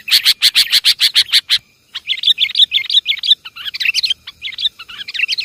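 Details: Lure call of the sooty-headed bulbul, Javanese kutilang: a fast rattle of sharp identical chirps, a short gap, then busy overlapping twittering and whistled notes continuing to the end.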